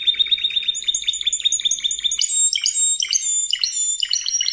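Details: Training song of a Spanish Timbrado canary: an even, quick trill of metallic notes that changes partway into a slower series of ringing, bell-like syllables, repeated several times.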